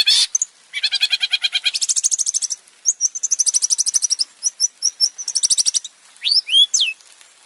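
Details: Singing male long-tailed shrike from a lure recording with many variations: rapid buzzy trills at differing pitches, clipped high notes, and a few clear swooping whistles near the end.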